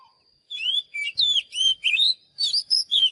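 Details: Oriental magpie-robin singing a quick series of loud, sweet whistles that slide up and down, with a short gap before a final burst of higher notes and a few faint low thumps.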